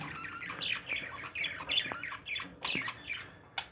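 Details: Pet parakeets kept indoors keep up a continuous scratchy warble of overlapping chirps and squeaks, with a few louder sharp notes near the end.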